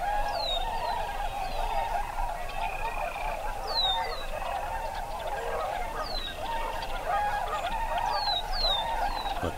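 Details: Large flock of tundra swans at a Wisconsin wetland during spring migration keeps up a dense, steady chorus of high, mellow whooping and yelping, with thin, falling whistles from smaller birds above it.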